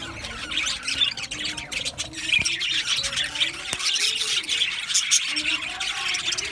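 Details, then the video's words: Steady chorus of male budgerigars in a colony aviary, 8 December 2025: unbroken high chirping and twittering from many birds, punctuated by a few sharp clicks. "Beautiful Male Budgies Sounds | Budgies chirping sounds"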